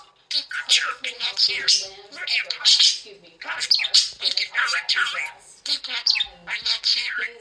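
A budgerigar chatters in fast, scratchy warbles mixed with squeaky notes and muttered, speech-like sounds.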